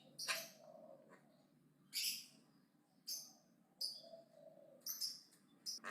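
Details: Javan myna giving aggressive, loud chatter; harsh, broadband bursts repeated about every second, some with a lower tonal tail, separated by short quiet gaps over a faint steady hum.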